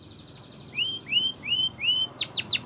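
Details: Canary song used for training: a few faint high chips, then four smooth rising whistles about half a second apart, ending in quick, steeply falling sweeps over a low background hiss.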